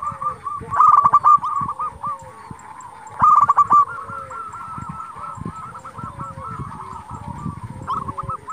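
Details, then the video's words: Local zebra dove song meant to rouse rival doves and raise their breeding drive: two loud bursts of rapid, stuttered cooing about two seconds apart, against a dense background of many cooing doves. "Perkutut lokal gacor Sekali Putar Lawan Pasti Emosi Langsung Nyaut"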